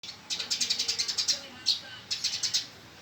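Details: Male Eurasian tree sparrow fighting: fast runs of sharp, high chirps, about ten in quick series, then a single chirp and a shorter burst of four or five.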